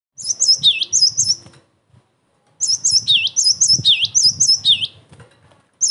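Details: Cinereous tit in energetic, emotional song used to provoke other tits into answering and as a training recording: high whistled phrases of two sharp notes followed by a lower dipping note, repeated in two bursts separated by a short pause.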